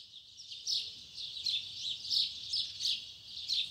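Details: Double-collared seedeater singing in the tui tui zel zel style in the morning: a series of high buzzy phrases roughly every third of a second over a hissing, noisy background.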